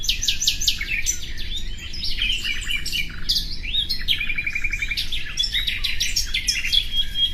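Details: Common nightingale delivering varied phrases: quick repeated notes, short stuttering trills and clear whistled slurs follow one another without pause, over faint low background noise.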